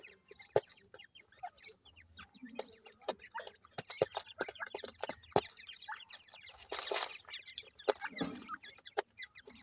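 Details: Growing irani teetar francolin chicks in captivity give many high, rising, thin peeps in loose overlapping runs, with sharp pecking clicks and a brief burst of rustling noise near the middle.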